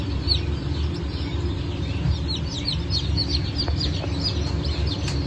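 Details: Newly hatched Brahma and Wyandotte chicks from a hatch dated 04.08.2024 peep constantly. Many short, high, downward-sliding cheeps overlap in a busy chorus over a steady low machine-like hum.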